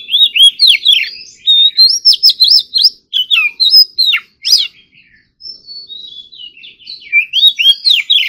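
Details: Oriental magpie-robin practising its morning song in competition style, delivering dense runs of loud rising and falling whistles mixed with sharp ticking notes, a brief soft warble, then more rapid whistled flourishes.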